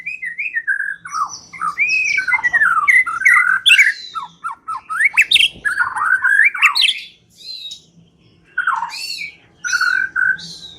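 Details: White-rumped shama singing, played as a lure to draw out song: varied whistled phrases, harsh squawking notes and quick slurred chips in loud bursts separated by short pauses, with a faint low hum beneath.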